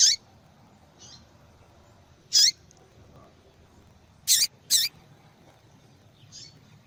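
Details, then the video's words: Female yellow-bellied seedeater calling to warm up a male's song: high sharp chips, a close double chip near the end, and faint soft notes between, over low hum. "Fêmea de Papa capim Chamando Para Esquentar Papa Capim"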